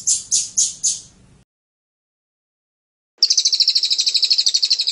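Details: Blue-crowned hanging parrot song bursts: four high, sharp chirps in quick succession, a silent gap, then a fast, dense trill of shrill pulsed notes, roughly three per second, continuing to the end.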